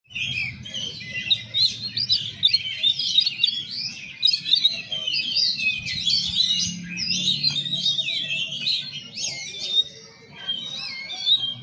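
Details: Male white-rumped shama singing in the slow style: a dense, continuous run of varied high whistles, trills and twittering phrases with brief pauses, over faint low background hum.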